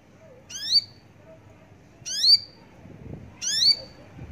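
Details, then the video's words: Javan bush lark uttering rich, buzzy notes that sweep upward with layered overtones, three phrases spaced about one and a half seconds apart over a soft hum. "branjangan javanica"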